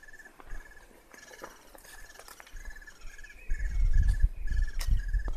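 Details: Little birds calling from a nest in an old tree in a forest: a fast, regular series of short ticking chirps, several per second, with heavy low rumbling and knocking noise in the second half.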